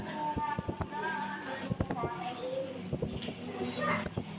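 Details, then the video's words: Blue-crowned hanging parrot, a native Indonesian bird, giving lure calls for attracting and tutoring birds. Four groups of piercing high chips arrive in quick strings with gaps between them, while a distant mosque loudspeaker voice drones underneath. "burung serindit . nembak-nembak nakal . pancingan & masteran"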